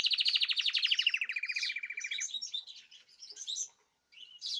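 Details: Caged birds kept on natural, varied food, singing together, recorded 14 March 2026: a fast, buzzy trill that slides down and then holds a steady pitch, followed by scattered high chirps and twitters.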